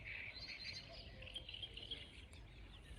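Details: A great reed warbler in spring reeds by a meadow and river at Zasavica Special Nature Reserve, Serbia, early in the day, gives a harsh, grating run of chattering notes, rough and continuous, over a low rumble of wind.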